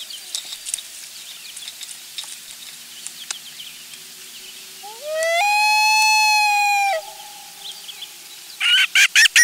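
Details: Mother loon wailing near the nest, perhaps at an intruder, while her chick calls to her on the family's last nest day, July 16, 2024; a long mournful wail slides upward and holds steady, followed by rapid short notes.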